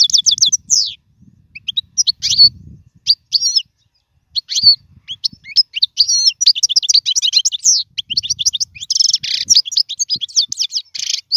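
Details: European goldfinch song for teaching young birds, caged: quick high twittering notes and liquid chirps in irregular bursts, building to a dense tinkling run near the end, faint low thumps.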